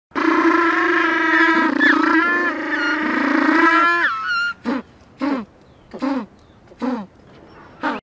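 A penguin gives a long, harsh, donkey-like bray for about four seconds, then five short, falling honks spaced under a second apart.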